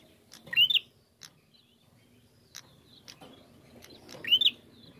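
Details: Bar-winged prinia lure song for provoking singing. Two loud upslurred chirps stand about four seconds apart, with faint clicks and low background hum between them.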